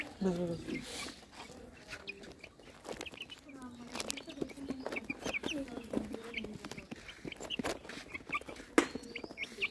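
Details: White yard chickens, hens clucking: low wavering clucks and murmurs with frequent sharp knocks and scratching, a few faint higher chirps. Chicken.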